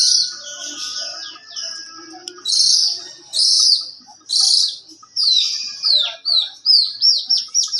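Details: Young long-tailed shrike singing a varied repertoire. Loud, separate bursts of harsh high chatter come about once a second, followed by a quick series of sweet, downslurred whistles.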